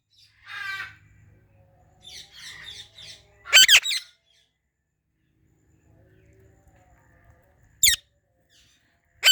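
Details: Ringneck parrot making raspy chatter, then loud shrill squawks spaced several seconds apart, with soft rustling in the background.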